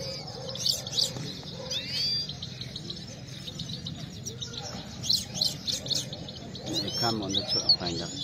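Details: Saira, the Himalayan goldfinch, sings during a singing fight: bursts of high twittering and thin rising whistles come in clusters, with quieter stretches between, over steady human speech and background noise.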